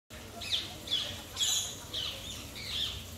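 Blue-and-yellow macaw giving five rough, high-pitched calls, repeated about twice a second over a faint background hum.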